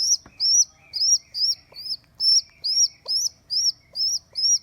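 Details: Piercing repeated squeaks from a baby rock pigeon rescued from a neighbour's roof after its mother abandoned it: close, loud arched peeps about twice a second, with an occasional faint click.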